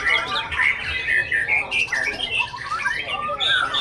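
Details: Oriental magpie-robin, a junior bird, in full performance: clear whistled notes alternating with quick slurs and harsh chatter, changing pitch with nearly every phrase, loud and continuous.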